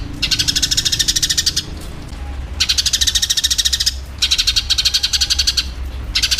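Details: Fighting Eurasian tree sparrow, used as training audio for songbirds: bursts of rapid, harsh, buzzy chattering notes, each about one and a half seconds long, separated by short pauses, over a low steady hum.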